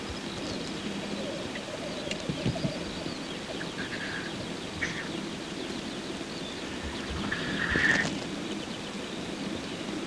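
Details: Black grouse males displaying at a lek during courtship. Low bubbling coos are heard, with several short hissing sneezes and one louder hiss toward the end.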